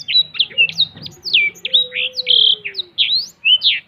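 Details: Singing black-throated canary with open wings, cetekan style: bright, choppy chirps and short trills in quick succession, with a soft lower whistle sliding downward in the background.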